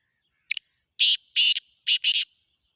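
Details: Black francolin calling: a short sharp opening note, then four loud, harsh, grating notes in two pairs over about two seconds, with a clean background.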